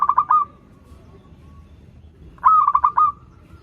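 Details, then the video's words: Zebra dove song serving as a lure for learner birds: two pulsed cooing phrases about two seconds apart, each a rapid stutter of notes ending in a steady held tone, with quiet background. "PERKUTUT LOKAL GACOR Suara Merdu || pancingan paling disuka perkutut yg belajar manggung"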